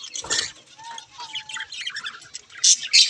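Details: Several budgerigars chatter together in rapid, bubbling high chirps, about three notes a second, with a steady low whistled tone held briefly in the middle and sharp squeaks near the end.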